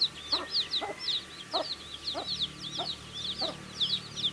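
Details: Several baby chicks chirp while eating food: continuous overlapping high peeps, some sliding downward, mixed with repeated soft lower pecking knocks at irregular intervals.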